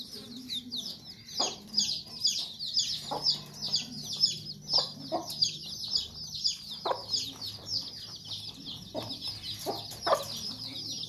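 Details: Sussex mother hen protecting her chicks, giving short harsh clucks every second or two amid constant high thin peeping from the chicks.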